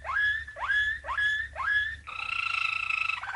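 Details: Champion Malinois canary from 1997 singing as a tutor for young canaries: four rising, glissando-like notes about every half second, then a steady bubbling trill.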